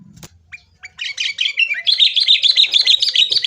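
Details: Sooty-headed bulbul singing a fighting-style lure song to make caged birds sing: a dense, continuous run of fast, bright chirps rising in intensity after a short thump and a few scattered notes.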